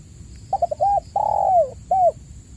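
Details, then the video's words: Lively spotted dove calling, played to encourage silent captive doves to call. A quick stutter of short notes leads into a rounded coo, then a drawn-out falling coo and a last clear coo, with a constant high tone and low rumble behind. "pancingan burung tekukur gacor"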